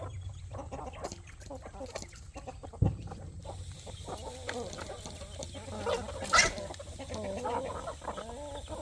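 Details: Roosters, chickens and chicks at evening food time on a poultry farm give a murmuring chorus of soft clucks and wavering notes, broken by a couple of loud knocks.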